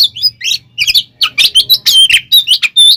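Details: Oriental magpie-robin giving a fighting song in the 'tarung konslet' style, used to provoke other magpie-robins. Dense, rapid bursts of high, varied chirps and whistles follow each other about every quarter second with no pause.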